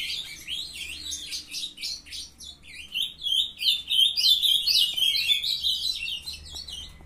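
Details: Ultramarine grosbeak, a brood of young captive-bred birds, singing; fast warbled twittering, rapid notes around 200 a minute, growing louder and denser in the second half.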